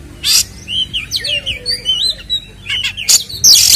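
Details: Oriental magpie-robin (kacer) in full 'ngeplong tarung' fighting-style song, played as a lure to agitate other kacer: varied whistled slurs and twisting notes interspersed with loud harsh rasping bursts, faint low hum beneath.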